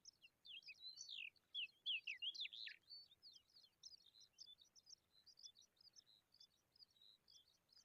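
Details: Baby pipit taking a worm into its mouth; a rapid, insistent stream of high, sharp chirps and zigzag notes, loudest early, then continuing as quicker, quieter twitters at about three per second.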